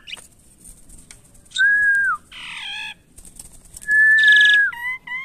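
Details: Tamed caged Asian pied starling gives a slurred falling whistle, a broad harsh rasp, then a long level whistle topped by buzz and two short rising notes.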